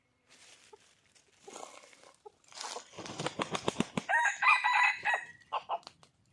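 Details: Wild red junglefowl calling for a mate, said to be a hen calling for a male: soft scratchy rustling first, then a burst of sharp wing-flap-like claps leading into a loud, harsh, broken crow with several stuttering notes.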